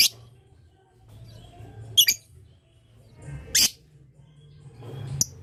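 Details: Lovebird giving long 'ngetik' chatter meant to draw answers from other lovebirds: four harsh, high squawking bursts spaced irregularly over a few seconds, with quiet gaps and low room hum between.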